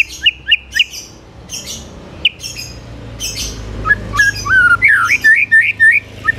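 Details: Vigorous white-rumped shama song intended to provoke rival shamas: scattered clicks and rough bursts, then quick looping whistled phrases near the end over a faint background hum.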